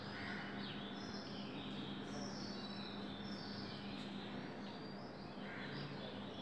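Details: Oriental magpie-robin singing at 5 am on 24 April 2020, varied high sweeping whistles and short phrases, faint against a steady low hum and broad background noise.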